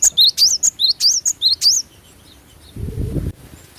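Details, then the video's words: Cinereous tit, known as glatik batu, giving a lively phrase of high piercing two-note whistles, each a bright chip followed by an upswept slur, repeated about eight times in under two seconds, followed by a low rumble of handling noise. "GLATIK BATU GACOR FULL SUARA ASLI ALAM"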